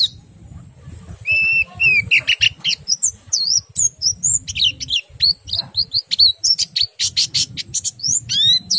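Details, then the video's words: Oriental white-eye song in the ngerol and ngriwik styles, used to stimulate other white-eyes to sing: rapid high sweeping whistles and chirps, rising and falling trills in quick bursts, with low background rumble. "PLECI meriwik ngerol sambung nembak, sangat ampuh merangsang pleci ikut bunyi"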